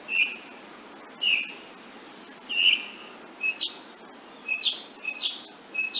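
A woodnymph hummingbird gives short, high, sharp chip notes, singly or in quick pairs, about ten over six seconds, over a soft background hiss.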